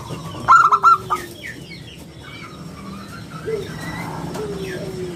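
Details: Local zebra dove singing actively, its round, crystal-clear voice used as a lure and tutor for other doves; one quick stuttering phrase of four soft cooing notes near the start, then faint chirps of other small birds.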